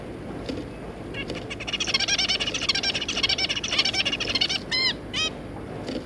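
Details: Zebra finch parents with three juvenile birds, 3 July 2022: a long, fast chattering warble of buzzy notes builds for about three seconds, followed by two loud, arched nasal calls near the end.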